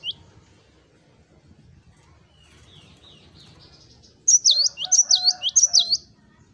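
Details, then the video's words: Cinereous tit singing 'wucit wucit': after a quiet stretch with faint distant chirps, three loud high whistled phrases ring out, each swooping down and up, with lower tonal echoes beneath. "GELATIK BATU Wucit wucit Gacor"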